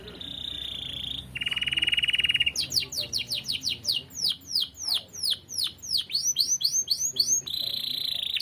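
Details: Loud canary song recorded as tutor material for cage birds: high trill, a lower metallic buzzing roll, then many quick descending whistled notes in uneven bursts, closing with another high trill.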